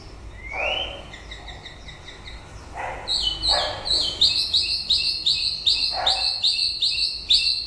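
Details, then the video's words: White-rumped shama late in the breeding season: one rising whistle, then a fast, steady series of high, bright repeated notes building in loudness, with a few lower clicks. "Chòe lửa bông hót cuối mùa sinh sản"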